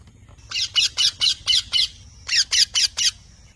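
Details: Parrot calling in two bursts of rough, buzzy squawks, six then four, evenly spaced about a fifth of a second apart, with a brief pause between bursts.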